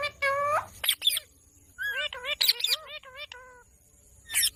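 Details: Ringneck parrot chattering: a rising whistled note, then a string of short, bouncy, nasal chirps that step up and down in pitch, with brief sharp screeches at the start and end.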